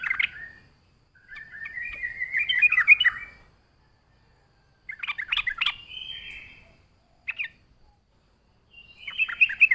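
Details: Trucuk singing, a lure for other birds: bubbly warbled phrases of quick chattering notes, two to three seconds long, separated by silent gaps.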